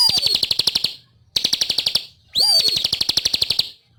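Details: Bar-winged prinia (ciblek) singing vigorously in three bursts of rapid, high, dry ticking notes, each about one second long and separated by short pauses, the last burst opening with a rising whistle.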